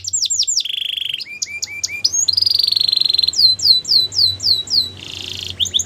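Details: Singing Belgian canary alternates sharp downward whistles with a flat buzzy roll, a run of lower chip notes, a fast bright trill and a second buzzing phrase.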